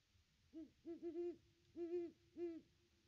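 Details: Great horned owl hooting at its nest tree on Christmas Day, caught on a nest cam: low, soft hoots in a broken series, single and doubled notes spaced about half a second apart, over a quiet background.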